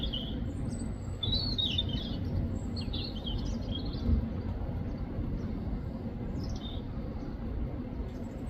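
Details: In the UK, a European robin delivers short bursts of high, scratchy, warbling notes separated by brief silences, set against a continuous low hum of distant noise.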